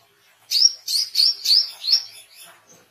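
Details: Oriental white-eye call for songbird training and luring wild birds: five or six separate high, slightly sweeping chirps about a third of a second apart, fading at the end.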